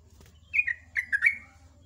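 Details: Short morning song phrase of a sooty-headed bulbul in ropel ngecruk style: a quick run of three or four warbled, descending notes over a low background hum.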